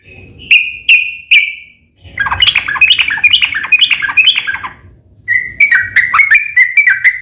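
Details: Yellow-vented bulbul singing its fighting, long rolling song to provoke other birds: three sharp whistled notes, then a busy tumbling run of lower warbled notes, a pause, and a string of quick slurred chirps.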